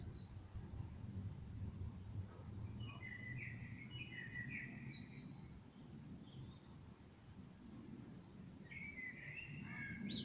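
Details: Evening song of a common blackbird: a mellow warbled phrase followed by a high thin twitter, then a pause of several seconds before another fluty phrase, over a low steady background rumble.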